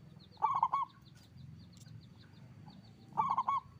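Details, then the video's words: Frequently singing local zebra dove with a big voice: two bubbling cooing phrases of three or four quick notes about three seconds apart, accompanied by faint high chirping of other birds and low background noise. "Perkutut lokal gacor suara besar"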